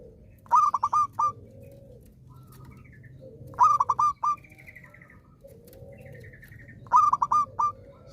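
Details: Zebra dove that sings often, its song played to encourage other zebra doves to resume singing: three staccato cooing phrases about three seconds apart, with softer lower and higher calls from other birds in between.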